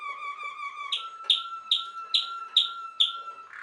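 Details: Waterslager canary, also called Malinois canary, a Belgian song canary bred for its water-like tune: a steady whistled tone, then a bubbling phrase of rich downward-swept notes repeated about every half second.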